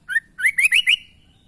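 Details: Sooty-headed bulbul, a chatty bird with unusual sounds, giving a short bright phrase: one clear rising note, a pause, then four quick whistled notes that climb higher in a rapid run before fading.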